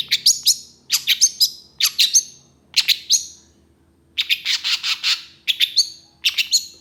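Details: Long-tailed shrike in agitated song, reacting quickly to another shrike, with harsh rough bursts. Rapid clusters of three to five sharp, high, scratchy notes alternate with short pauses, plus one dense buzzy rattle near the middle.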